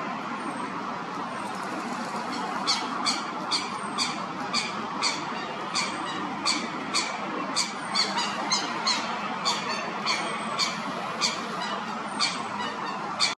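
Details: A coot or moorhen chick (uncertain which) gives thin, sharp, high peeps in a quick run, about two or three a second, over a steady rushing background noise.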